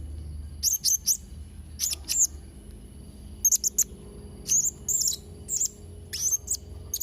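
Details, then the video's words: Chattering Blue-crowned hanging parrot: paired and tripled shrill, high squeaky notes repeated in small clusters roughly every second, thin and piercing, with steady low hum beneath. "Variasi & Isian Suara Serindit Trotol Gacor"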